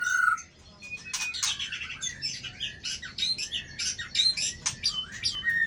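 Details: White-rumped shama singing in a contest against a rival bird: a rapid, varied run of clear whistled phrases and sharp chirps, jumping between high and mid pitches, with one sustained lower whistle at the start and at the end.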